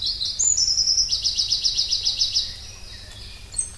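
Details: Pallas's leaf warbler delivering a high, sustained rapid trill that opens with a brief thin whistle and holds a fast, even buzzing roll for about two seconds; faint hum beneath.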